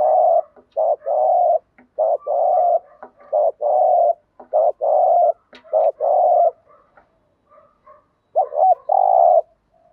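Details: Spotted dove cooing, used as a lure to attract wild doves. A dense run of short, mellow coo phrases follows one after another, then a brief lull with soft notes before a final wavering coo.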